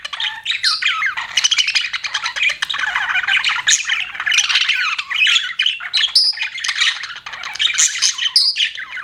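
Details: Several pet budgerigars chatter continuously with scratchy, buzzy warbling and sharp upward squeaks, louder chirps standing out near the end.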